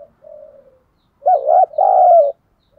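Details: Decoy spotted dove from Vietnam with a giọng thổ voice, calling to provoke wild doves; a soft drawn-out coo, a pause, then one loud two-part coo with a wavering opening note.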